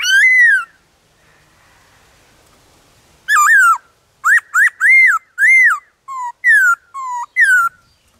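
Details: Many-voiced forest song of a wild black-throated laughingthrush: a ringing slurred whistle, a pause with faint hiss, then a quick run of bright arched whistles alternating with lower, flatter notes.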